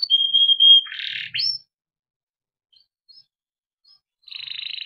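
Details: Timbrado canary singing a training song: a clear whistled note, then a short buzzy burst and a high chip, a long pause, and a rolling trill starting again at the end.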